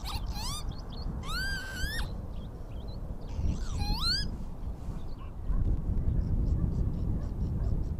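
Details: Lapwings recorded at Oandu in Virumaa, Estonia, March 2022: three wheezy, upslurred harmonic calls in the first half, each about half a second to a second long, then faint high chirps from other birds amid low wind-like rumble.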